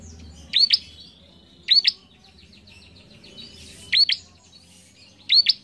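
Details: Bar-winged prinia singing, used to train young cage birds; paired sharp rising chips repeat every one to two seconds above a soft chattering background.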